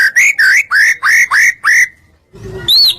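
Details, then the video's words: White-rumped shama singing as a lure to provoke other shamas: seven rich rising whistled notes in quick succession, a short pause, then one high arched whistle. "Putar sebentar burung murai apapun langsung ikut NYAUT"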